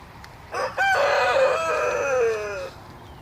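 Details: Rooster crowing in the morning at waking time: a single long harsh cock-a-doodle-doo of about two seconds, rising through stuttered opening notes and then drawn out and falling at the end, with a faint second bird in the background.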